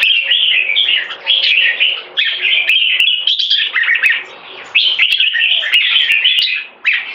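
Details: Two caged competition red-whiskered bulbuls, one of them in molt, sing against each other: bright warbled phrases clustered mid-high, rising and falling, in bursts separated by brief pauses, with sharp clicks throughout.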